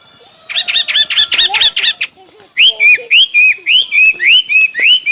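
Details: Chinese hwamei singing in a song contest: a run of rapid, buzzy chirping notes, then a series of loud, clear whistled notes that rise and fall, repeated about every third of a second.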